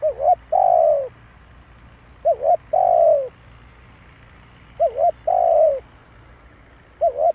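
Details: Spotted dove calling as a trapping lure: two quick rising notes followed by a long, falling, throaty coo, repeated about every two seconds. Steady soft pulsing ticks from an insect run high in the background.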